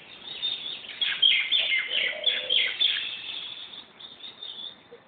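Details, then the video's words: Wild bird calling at Mohan in Corbett National Park: a lively run of high, sharp chirps and twittering notes repeated in quick succession, loudest in the middle and fading toward the end, over a soft rural background. "bird's voice"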